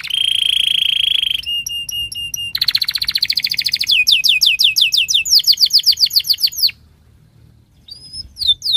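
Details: Canary pouring out a long song meant to coax young birds into singing: a sustained buzzy trill, rapid repeated whistles, then successive runs of falling slurred notes at varying speeds, ending in a short pause and fresh notes.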